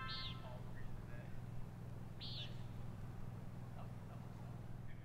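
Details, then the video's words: Common Nighthawks flying around, very active at dusk, near Boulder in the Escalante area of southern Utah, giving two short, nasal, buzzy peent notes about two seconds apart over a steady low hum. "yep what you're hearing are common Nighthawks flying around very active at dusk I couldn't really get him on camera though cuz it was so dark this is the best shot I got so bright"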